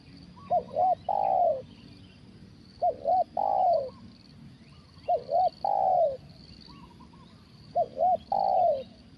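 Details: Spotted dove calling during a trapping session with a decoy bird, in the deep-voiced 'kuk satu' style: two quick hooting notes, then a long descending coo, the phrase repeating about every two and a half seconds over a steady high hum.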